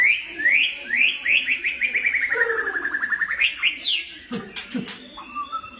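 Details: Albino White-rumped Shama with cotton-white plumage singing: rising whistled slurs and a long series of rapid repeated notes sweeping down then up, ending in sharp clicking notes.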